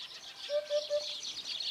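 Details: A Eurasian hoopoe (Upupa epops) gives three soft, hollow, low 'oop-oop-oop' notes in quick, even succession over a steady high hiss of background noise.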